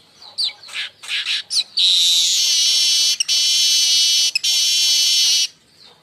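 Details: Crecetan of a baya weaver, a call used to lure birds and train others: a run of rapid rising chirps, then a drawn-out harsh buzzing hiss, broken twice by brief clicks.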